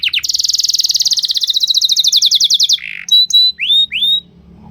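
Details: Canary song: a long, fast, loud trill of even buzzy notes held for nearly three seconds, then a few sharp whistled upslurred notes with brief gaps; no other sounds.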